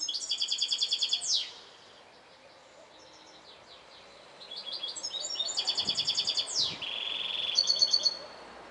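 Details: European goldfinch singing: fast, evenly repeated chirping notes, then sliding buzzy slurs. After a pause comes a louder stretch of tinkling, twittering phrases. Steady low background hiss throughout.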